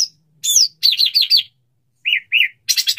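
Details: Courting male white-rumped shama singing to a female before mating: a looping high whistle, a quick set of four warbled notes, two clear rounded whistles, and a final burst of sharp high notes.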